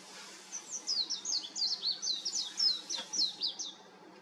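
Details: Warbling white-eye singing on an electric wire, heard slightly more distantly; a long, hurried string of thin, high notes, each slurring downward, rattles on for about three seconds over faint background hiss.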